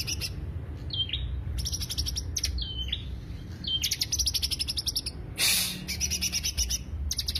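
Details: Greater green leafbird lure song mixing downslurred whistles with quick buzzy trills. A loud brief hiss cuts in midway, and low background noise runs throughout.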